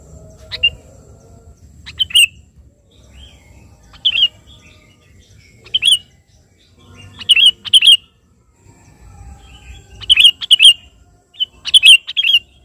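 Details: Sooty-headed bulbul singing to call a rival, scattered short chirpy phrases at irregular intervals, growing more frequent toward the end, with quiet low background murmur.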